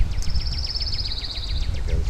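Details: A pine warbler at a bird feeder gives a high, even trill of rapid repeated notes lasting about a second and a half, apparently upset by a person nearby; low rumbling background noise.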